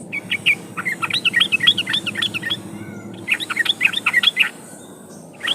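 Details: Yellow-vented bulbul song used as a lure to prompt trucukan to sing: lively, bubbling, gurgling phrases delivered in two long runs, over a steady low background murmur.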